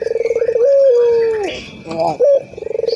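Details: A local ringed turtle dove gives a quick throbbing roll that rises into a long level coo and slides down. It is followed by a short bright note and another rapid pulsing purr.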